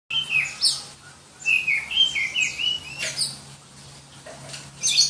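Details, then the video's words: Black-breasted Oriental magpie-robin from Berau, East Kalimantan, a variety favoured by songbird hobbyists for its shrill song: loud whistled phrases, rising and falling, interleaved with sharp high chips and short pauses over a faint low hum. "Kicau Kacer Kalimantan"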